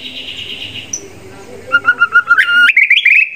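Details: Contest white-rumped shama singing a tutor song in the 'isian sekebun' mimicry style: after a murky, noisy opening, a run of clear whistled notes begins, stepping between two pitches, then rising into sharper, higher whistles.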